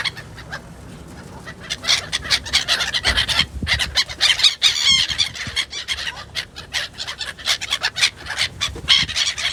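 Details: Gulls in Yakutsk: many birds calling at once in a dense, continuous chorus of harsh, overlapping squeals and cries, with rough outdoor background noise.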